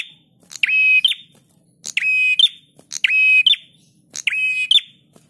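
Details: Intense, metallic buzzing phrases from a prinia on a master recording for training cage birds. Four near-identical bursts, each ending in a clipped high note, follow one another at slightly irregular one-second gaps.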